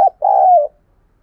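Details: Spotted dove cooing to provoke wild doves into fighting and calling back. A brief clipped note is followed by one drawn-out, low, mellow coo that falls slightly at its end, then silence.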